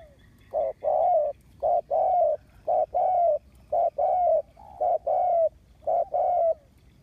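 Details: Spotted dove decoy kept to lure wild birds, August 2021: rhythmic mellow coos, each a clipped note leading into a sustained one, repeated regularly about once a second with little pause.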